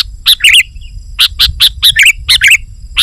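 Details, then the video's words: Sooty-headed bulbul in lure song for wild birds: quick bright chirps in pairs and threes, some with a bubbly warble, spaced by short gaps. "Suara Burung KUTILANG GACOR Rapat Menekan Lawan Ampuh Untuk Memikat BURUNG KUTILANG Liar"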